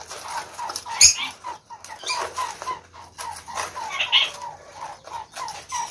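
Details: Seven caged Chinese quails, one a white albino, kept together with a Gould's finch; steady series of brief peeping notes repeated several times a second, with a sharp louder squeak near the start and a higher chirp later.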